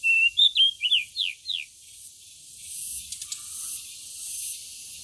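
Pied bushchat singing a quick phrase of five or six clear, slurred whistles in under two seconds, then a faint steady high hiss.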